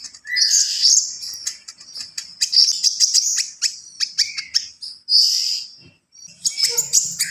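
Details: Javan pied starling delivering gacor full isian song, energetic bursts of harsh, high chatter and sharp clicking notes, several loud phrases separated by short silences.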